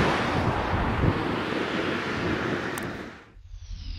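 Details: Heavy wind buffets the microphone over rushing water, then drops away to a quieter low hum near the end.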